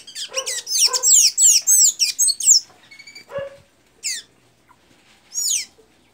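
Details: Blue-gray tanager from Santa Inês, Maranhão, bursting into a rapid run of loud, squeaky, down-slurred notes for over two seconds, then a softer quick trill and two isolated high squeaks after silences.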